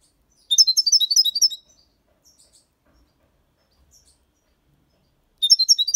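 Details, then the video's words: European goldfinch aged six months delivering clean Malaga copy song, with motifs of colios, quejas and ornaments: a rapid, buzzy, high-pitched twittering burst of about a second, a quiet gap, then the twitter starting again. "Jilguero cantando Limpio 6 meses/ chardonneret chante la copia Malaga / Goldfinch singing"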